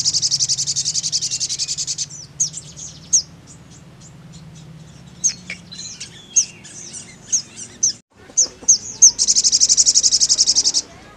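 A high, buzzy, insect-like trill opens and closes the call, with sharp high chips and short twittering notes scattered between the trills.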